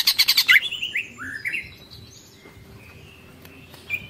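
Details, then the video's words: Greater green leafbird in tengkek style: a brief burst of sharp chirps followed by several rising whistled slurs that fade into quiet, with a faint note at the end. "Cucak Ijo Ngekek Panjang Full Tengkek"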